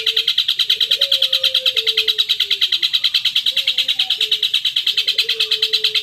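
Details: Long-tailed shrike song played to stir a caged bird into answering: a steady, rapid run of harsh, high chattering notes about three per second, with faint lower whistled tones drifting beneath.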